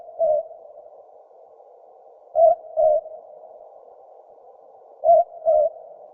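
A Southern boobook gives its soft, low two-note hoot, 'boo-book', repeated about every two and a half seconds over a steady hiss.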